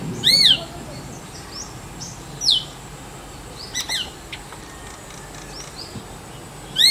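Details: Clear calls of a male Jerdon's leafbird, called Horbola in Bengali, used to attract a mate or establish territory: sharp, high, downward-sweeping chirps spaced a second or more apart, with faint softer notes between.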